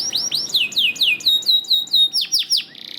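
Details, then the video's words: Canary song for training pet canaries: a steady series of loud downslurred whistled notes, about three per second, each sweeping down from high, ending in a soft quick buzz. "MASTERAN KENARI GACOR AUTO RESPON UNTUK KENARI ANDA YANG SUSAH GACOR"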